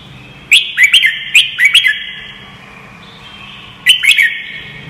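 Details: Red-whiskered bulbul voice-training song, a rapid run of four or five chirpy warbled notes, a pause, then a shorter two-note phrase. Every note is followed by ringing reverberation.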